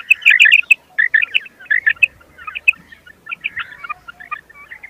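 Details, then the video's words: Common quail (Coturnix coturnix) giving bright, chirping notes in quick little bursts, a cluster roughly every second, fading slightly toward the end. "common quail"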